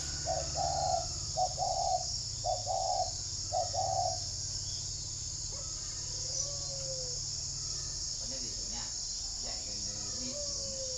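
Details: A red-eyed, red-legged spotted dove kept as a decoy bird at a farm in Ba Vi, Hanoi, gives a run of five low, hollow coos over four seconds, then a man talks, with a steady high insect drone throughout.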